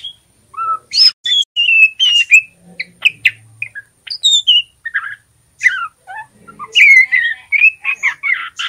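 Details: Young male white-rumped shama, a spotted juvenile still learning to sing, practising soft twittering: clear whistled notes and short chirps near mid-high pitch, scattered phrases with brief pauses, some rising and falling slurs.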